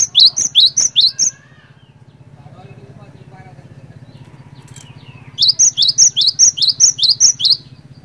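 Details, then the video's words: Lure song of a gelatik batu (cinereous tit), used to get other birds of the same kind to join in: a rapid series of bright, piercing down-slurred notes, then a pause over low hum, then another fast run of about nine notes. "PANCINGAN BURUNG GLATIK BATU GACOR INI ASLI BIKIN GLATIK BATU LAIN LANGSUNG IKUT BUNYI"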